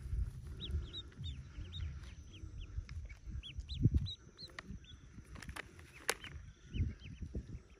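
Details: Recently hatched yellow ducklings, around forty of them, in a cave nest: rapid, high, downward-sliding peeps in clustered runs, with low bumping and rustling below and a few sharp clicks.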